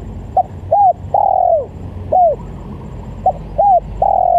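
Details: Spotted dove call used to lure doves: hooting coos in two repeated phrases, each a short note, a brief hoot, then a long drawn falling coo, over a low hum.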